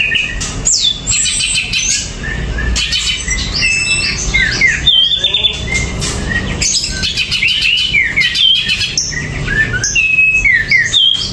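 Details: Greater green leafbird, a kept bird singing uncovered, pours out a fast, varied run of whistles, slurred rising and falling notes and buzzy chatter, many notes per second over eleven seconds without a real break.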